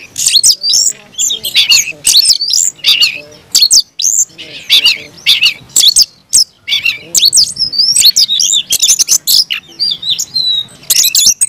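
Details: Aggressive, persistent fighting song of an Oriental magpie-robin: long run of loud, varied whistled phrases, sharp chirps and rasping notes in dense bursts, with only brief gaps between sequences.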